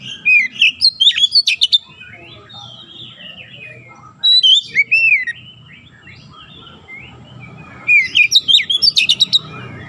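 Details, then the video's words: Oriental magpie-robin on a training recording for young birds, aimed at a fast 'nembak rapat' delivery. Three separate bursts of sharp, clipped whistles and high ticking notes stand out over a faint low background rumble. "TERAPI KACER BAHAN CEPAT NEMBAK RAPAT"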